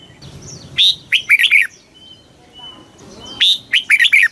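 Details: Red-whiskered bulbul singing fast 'kích bổi' style: two quick bursts of four or five chirpy, slurred whistled notes, about three seconds apart, with a faint steady tone between them.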